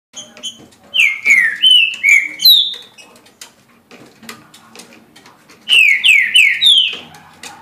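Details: Caged green-winged saltator singing at a rate of 17 songs a minute: loud whistled phrases of four or five descending slurred notes around mid-high pitch, a pause, then another phrase; faint clicks and rustling between phrases.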